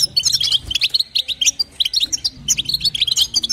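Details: Calling female European goldfinch, meant to stimulate the male, in bitbita and sitsita form: crisp separate high tinkling notes, about eight a second, in a lively twittering string.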